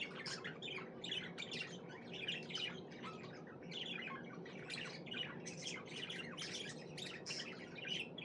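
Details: Budgerigars chattering happily: dense, scratchy chirps and warbles from several birds overlapping continuously.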